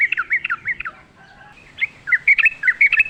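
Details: Yellow-vented bulbul giving lively wild song: quick looping warbled notes, a brief gap with faint softer tones, then another jaunty string of slurred chirps.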